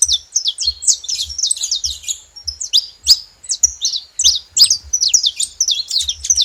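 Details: Saffron finch at a bait spot, a busy series of sharp, high, clipped chirps in short bursts separated by tiny pauses, with light low thuds in the background.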